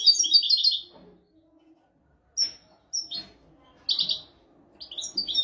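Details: European goldfinch tutor recording for training goldfinches and canaries: short bursts of bright twittering and single sharp chirps, separated by pauses of up to a second.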